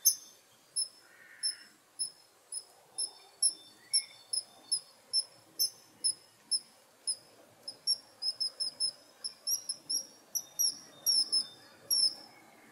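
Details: Kingfisher calling with thin, piercing high whistles in a steady series about every half second, later breaking into faster doubled and tripled notes, over a quiet low rumble with an occasional softer lower chirp.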